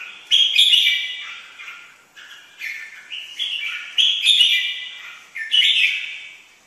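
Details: Red-whiskered bulbul singing: short bright warbled phrases, each a quick burst of whistled, slurred notes, repeated with brief pauses over about seven seconds in a quiet setting.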